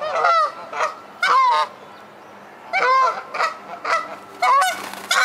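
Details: Feuding geese in an aggressive fight give loud, raucous honks in clustered bursts, each call harsh and wavering, repeated irregularly about every second or so with brief quieter pauses.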